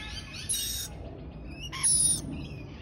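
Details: Young lorikeet giving two loud, harsh, buzzy squawks about a second apart, each lasting under half a second, with faint thinner chirps between them over quiet low background noise.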